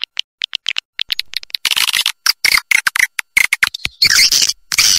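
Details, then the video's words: Swiftlet call for drawing birds to stay and nest: sparse dry clicks at first, then harsh high twittering bursts broken by short gaps, ending in a longer buzzy chatter. "Suara Panggil Burung Walet Mantap 7"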